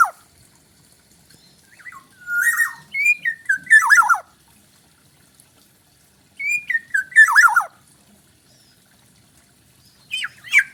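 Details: Black-naped oriole from Bali, forest bird, repeating fluty whistled phrases that rise then fall in a wavering cascade, two full phrases about four seconds apart, another beginning at the end, background quiet.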